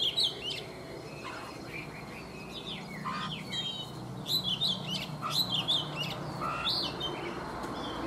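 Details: Oriental magpie-robin taken from the wild as an adult and caged three seasons sings in the morning: scattered sweet whistles and twittering notes, irregular, roughly one per second, with a low hum behind.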